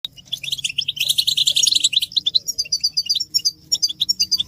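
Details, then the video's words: European goldfinches in a group chorus of mating and readiness calls meant to stir silent males into song: quick, high, tinkling twitters, busiest in the first two seconds, then sparser clipped notes, over a faint low hum. "بتبتة حسون الشوك تحفيز الحسون على التغريد والهيجان علاج صمت الحسون goldfinch stimulation"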